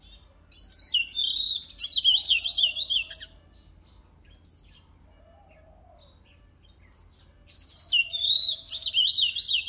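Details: Oriental magpie-robin singing energetically, recorded to rouse birds for competitions: a long run of varied, rapid warbled and whistled phrases, a quieter interlude of scattered high notes and a soft low whistle, then another loud burst.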